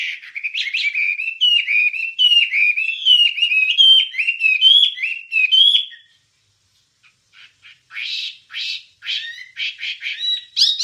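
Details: Wambie song for training songbirds: about six seconds of rippling whistled phrases with crisp high flicks, then near silence, then scattered harsh chirps and buzzy notes returning.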